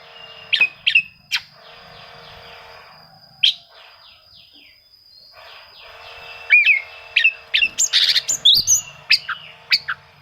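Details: Oriental magpie-robin song for seeking rivals and provoking quiet birds: scattered sharp whistled notes early, softer warbling in the middle, then a quick series of loud chirps and slurred whistles.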